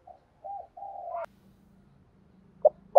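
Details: Spotted dove used as a lure, cooing in the morning: two soft, low notes and a longer drawn coo, a pause, then the start of a loud new phrase cut off at the end.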